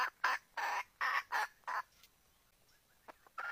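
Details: Red junglefowl hen, wild, calling for a rooster on 17 February 2021: five loud coarse notes in quick succession, then faint scattered clucks over low background hiss.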